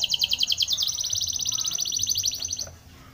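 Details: Spanish Timbrado canary singing for training, opening with loud bouncing double notes, then running into a fast, smooth high trill that fades out at the end.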